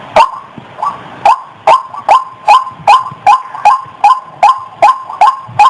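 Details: White-breasted waterhen female calling, a sound offered as a trapping lure: a long, even series of thirteen loud, croaky 'wak' notes delivered at a brisk, regular pace of roughly two and a half per second.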